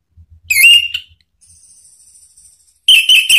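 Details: Anis Merah, the orange-headed thrush, in lure song meant to get other birds of its kind singing: a short high whistled burst, a pause with a faint thin whine, then another bright whistled phrase, over soft low knocks.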